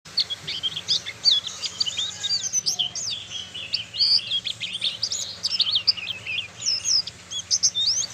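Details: Young oriental white-eye, a caged bird from Malang, learning its song: rapid high twittering phrases of chirps, slurred whistles and buzzy notes, nearly continuous, with a faint low hum underneath.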